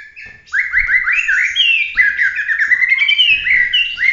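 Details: Bahorok white-rumped shama of competition standard delivering 'tembakan' song: a continuous run of loud, fast, clear whistled slurs, many sharply rising, repeated several times a second with a few harsher overtones.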